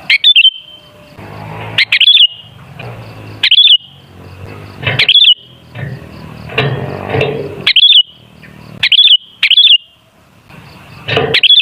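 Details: Sooty-headed bulbul song meant as a lure to get bulbuls singing: many short liquid whistled phrases in quick, irregular succession, interspersed with bursts of rustling, crackling noise.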